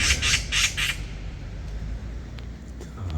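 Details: Magpie raising a loud alarm since early morning to protect its chick on the ground from a cat lurking below: four rapid harsh rasping squawks in the first second, then quiet outdoor background with distant faint chirps.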